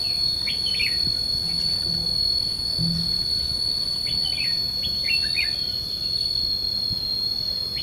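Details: Red-whiskered bulbul singing as a trap decoy to draw rival wild birds in, 5 July 2016: short bright chirpy warbled phrases every second or so over a steady high insect whine and faint low rumble.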